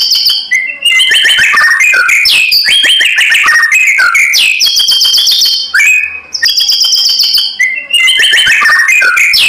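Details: White-rumped shama in full fighting song, played as a lure so other shamas answer: dense, continuous run of loud varied whistles, slurred notes and rattling trills with brief pauses.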